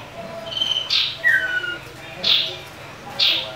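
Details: Common iora in an agitated fighting bout, used to lure rival birds: short whistled notes, a falling lower phrase, and repeated harsh bursts roughly once a second over a low background hum.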